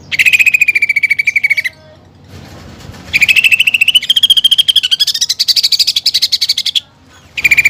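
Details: Song of a greater green leafbird, said to be full of imitated fighting sparrows and pelatuk bawang: a falling rapid trill, a pause, then a long run of fast repeated notes that climbs higher before breaking off, and another trill starting.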